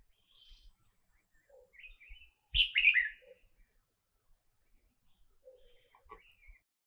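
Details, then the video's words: Red-whiskered bulbul in Cambodia, filmed through a telescope. One loud, bubbly burst of slurred chirping notes about half a second long stands out midway. Softer scattered chirps come before and after, over an otherwise quiet background. "Red whiskered Bulbul with sound call"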